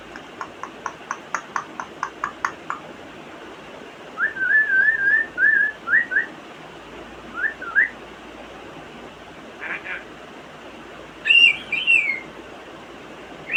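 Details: Pet African grey parrot imitating sounds: a run of about a dozen sharp clicks, then wavering whistled phrases, short rising whistles and a final warbled figure, with pauses between.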